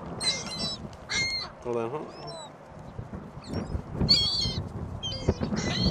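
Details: Gulls at a shopping mall on a very windy Christmas Day 2014 give scattered sharp, high squealing calls in short bursts, with one lower drawn-out cry near the middle and wind buffeting underneath.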